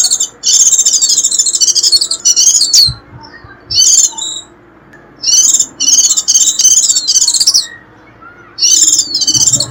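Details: Warbling white-eye calling to lure wild birds: bursts of high, rapid, twittering and shrill notes lasting one to two seconds, separated by brief pauses, with a few faint low knocks in between.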